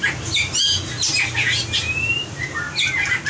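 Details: Competition-style song of a white-rumped shama for voice training: bright high notes and a long thin rising whistle, followed by scattered chirps, with a constant low background hum.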